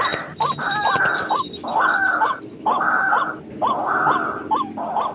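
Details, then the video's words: Trapping lure of a white-breasted waterhen near homes: bursts of hooked, rising notes in groups separated by short gaps, over noisy broadband hiss. "Racik burung ruak ruak galak"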